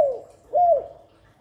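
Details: Dove coo of a spotted dove call used to stimulate doves: the tail of a falling note, a pause, then one smooth arched coo that sinks away.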